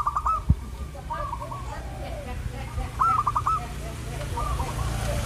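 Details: Zebra dove cooing in a training recording meant to get other zebra doves cooing, with repeated burry, rolling trilled phrases about every second over a steady low hum and rumbling background noise.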